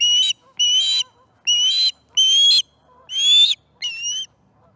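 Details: Six loud whistled notes from an osprey at its nest during a morning fish feeding in September 2019, roughly one every three quarters of a second, each high and slightly rising, with faint lower chirps between.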